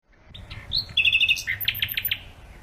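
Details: Birdsong among flowers: a rising thin note, then a rapid string of bright chirps near the high range, followed by several sharp, evenly spaced clicks or tweets, with a faint low rumble underneath.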